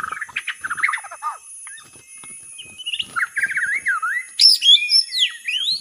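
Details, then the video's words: White-rumped shama lure song: rapid chattered notes first, then a run of quick rising and falling trilled notes, finishing with high sweeping whistles and sharp upslurs. "KUMPULAN Pikat burung murai batu TERBAIK"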